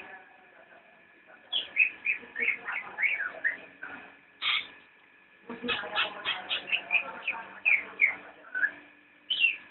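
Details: Nyinden-style singing of a cicak rowo (straw-headed bulbul): quiet start, then lively runs of sharp downslurred whistles and chatter, a short break, and a longer busy burst of repeated notes.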